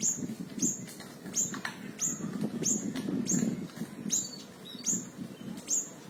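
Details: Small siri-siri singing, recorded for training other songbirds: sharp, very high falling notes repeated a little more than once a second at an uneven pace, over constant low background noise.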